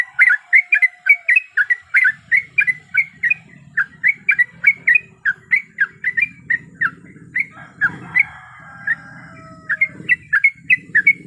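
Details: Female sooty-headed bulbul in breeding condition calling to a male: rapid chattering series of short, bright notes, about three or four per second, with brief pauses and a low hum underneath.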